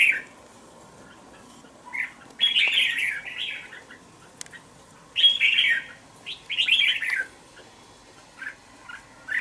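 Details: Young caged red-whiskered bulbul, two months old, singing bright warbled phrases in short bursts separated by pauses, with a faint steady background hum.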